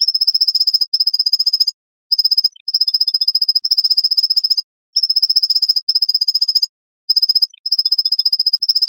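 White-breasted nuthatch song: fast, even trains of high, nasal notes, each burst about a second long and repeated after short pauses.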